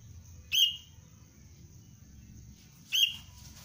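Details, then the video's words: Young sooty-headed bulbul recorded for basic cengkram lure training gives two single shrill chirps about two and a half seconds apart, each quick and piercing, above a constant low hum. "Anak kutilang pelatihan dasar untuk pikat Cengkram"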